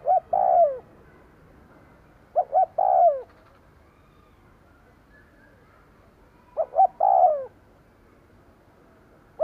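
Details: Lure cooing by a decoy spotted dove meant to draw wild doves: the tail of one phrase, then two full phrases of two short hoots and a long falling coo, about four seconds apart.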